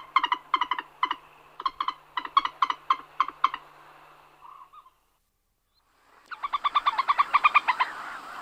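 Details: Common moorhen alarm calls: fast runs of hard, clucking notes, about four a second, in two bursts split by a short pause, the second run more blurred and continuous, with a low steady hum beneath.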